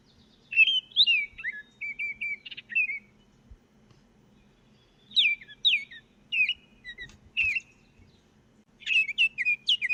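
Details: Baltimore Oriole (Icterus galbula) singing three bursts of clear, flute-like whistled notes, some in quick pairs and slurred phrases, separated by pauses of a second or two.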